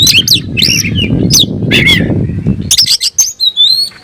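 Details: Kacer (oriental magpie-robin) singing to confront a rival: rich whistled and chattering phrases over a low rumble, then a final run of clean, separate high whistles.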